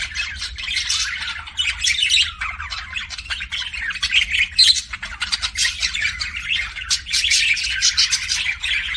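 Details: Pet budgerigar giving kissing sounds: dense scratchy chatter with sharp clicks and brief high chirps, rising and falling in loudness, over a low steady hum.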